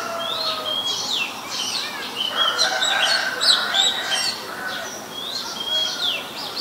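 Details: Oriental magpie-robin in Ubon Ratchathani, Thailand, recorded 23 December 2019 on a Nikon P1000: sweet rising and falling whistles, sharp downslurred notes, a louder cluster of varied phrases midway, then spaced high calls.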